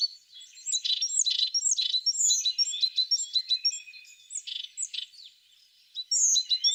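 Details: High twittering song of a tit: rapid chirps and short whistles with buzzy notes mixed in, a quieter stretch, then a loud final burst.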